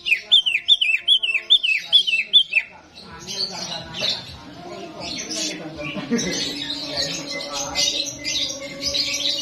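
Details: Greater green leafbird song in a simulated contest arena: a run of loud, rapid, downslurred whistled notes repeated about three per second, then a dense jumble of overlapping chirps from other competing birds.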